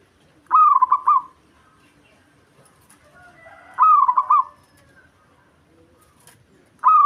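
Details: Local zebra dove in lively song, kept as a lure to rile rival doves and raise their breeding urge. Trilled, stammering coo phrases repeat about every three seconds, with a little faint background noise between them.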